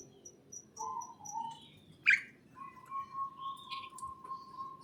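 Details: Birds chirping in a greenhouse: low steady whistles near one pitch, a sharp bright chirp at two seconds, and a faint series of high ticking notes, over a soft low hum.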